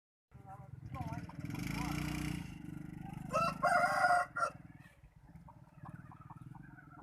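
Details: Highland rooster crowing, recorded 11 November 2019: one drawn-out harmonic crow lasting about a second after a stretch of loud low rumble and voices, followed by softer clucking notes.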